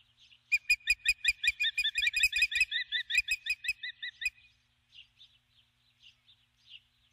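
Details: On the nest at dusk, 21 July 2015, a female osprey with a stick calls for her mate. A loud, rapid run of piercing whistled chirps lasts about four seconds, then drops to soft, scattered, distant notes.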